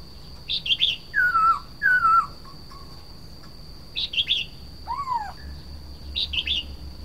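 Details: Red-whiskered bulbul (nok krong hua jook) alternates short, lively chirped phrases with clear, descending whistled notes and one arched whistle, over a steady faint high whine.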